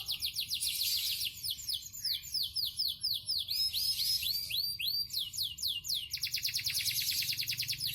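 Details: Yellow canary, described as a three-time champion, singing continuously: rapid series of high, downward-sweeping notes in fast repeated phrases, shifting into a dense buzzy trill near the end.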